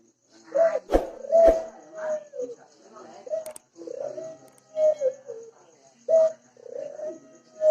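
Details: Ringneck dove cooing in a lively tutor recording: mid-pitched, smooth tonal coos that rise then fall, in short phrases separated by brief pauses, with a couple of sharp clicks near the start and a small-room feel.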